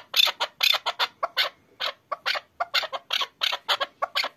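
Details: Chukar partridge kept as an excited hunting partridge, giving a rapid series of harsh, clucking chuck notes, about four per second, with a brief pause midway before the chattering resumes; no other clear sounds.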